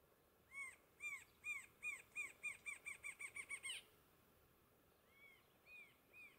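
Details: Rufous-winged antshrike (Thamnophilus torquatus) recorded at Ribas do Rio Pardo, MS, on 25 April 2021: an accelerating series of about a dozen nasal, arched notes that quicken and end abruptly, then a few softer, slurred notes trail off.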